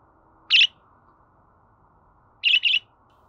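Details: Budgerigar chirping meant to encourage a pet budgie to sing: one loud scratchy chirp, then a doubled chirp two seconds later, over quiet background noise.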